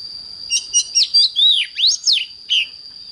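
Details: Morning song of an oriental magpie-robin used for training: short chips followed by loud, swooping whistles that rise and fall steeply, roughly eight notes in three seconds, with a steady high tone behind.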